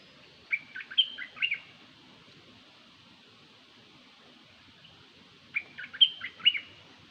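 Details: Decoy bird call given twice about five seconds apart, each a quick phrase of sharp chirps and short whistles over a quiet background.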